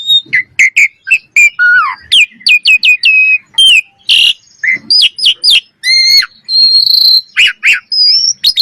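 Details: Common myna with a rapid medley of short whistled notes, sliding tones and harsh chattering bursts, delivered loud and close with brief gaps.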